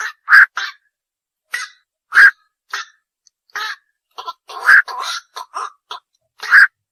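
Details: Harsh, hoarse calls of a night heron, known as bakchu or ok bird, spaced irregularly with some loud squawking notes and quieter croaks in between, no other sounds present.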